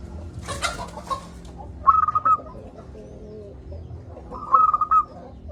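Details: Local zebra dove with a big voice, used as a lure for reluctant doves: two rapid phrases of staccato, bubbling coo notes about two and a half seconds apart, preceded by a brief rustle and low hum.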